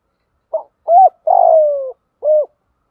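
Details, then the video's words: Lure-bird spotted dove giving the 'thúc gù' coo sequence used to train silent captive birds. It runs as four low notes: a quick one, a rounded coo, a drawn-out falling throbbing coo, then a last rounded coo. "Tiếng THÚC GÙ chim cu gáy mồi bài bản dùng tập chim bổi hay lâu năm không chịu gáy"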